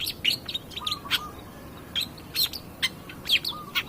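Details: Long-tailed shrike singing actively in a lure recording meant to provoke other birds: sharp, high chirps and harsh clicks in short irregular bursts, with a few lower flat whistled notes between them and a quiet hiss behind.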